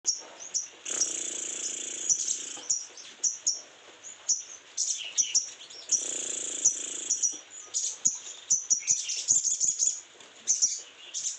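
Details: Sogon in strong breeding condition, singing in very high, thin chirps and sharp twitters with dense buzzy trills lasting one to two seconds, delivered in rapid, uneven bursts.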